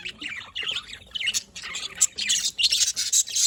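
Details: Budgies chatter in fast, buzzy, high chirps that grow louder and denser toward the end, a steady warbling jumble of calls.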